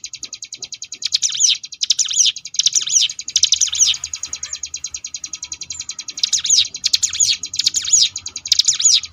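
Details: Sunda bush warbler (ciblek gunung) tutor song in 'ngebrem' style for contest birds: a continuous rapid high-pitched buzzing pulse train overlaid by repeated loud sweeping trills in two clusters, with a quieter stretch between.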